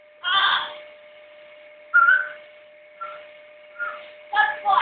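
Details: A pet blue-and-yellow macaw whistling gives five short whistled and raspy bursts, roughly one a second, some with clear mid-pitched tones, over a faint steady hum.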